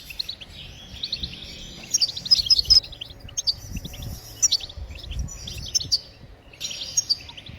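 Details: Twittering song of a European goldfinch, played to encourage other birds to sing: tinkling, rapid chirps and liquid buzzy notes in repeated phrases with short gaps, over a soft low background hum.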